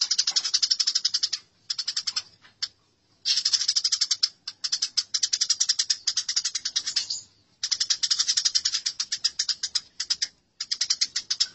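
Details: Masteran of Eurasian tree sparrows fighting: nearly continuous, rapid, grating chirps in long runs, broken by brief pauses, sustained and intense throughout.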